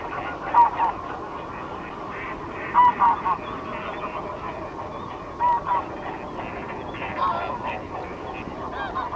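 A greylag goose gives short, nasal honks, singly or in quick pairs, every two to three seconds, over a steady low background rumble.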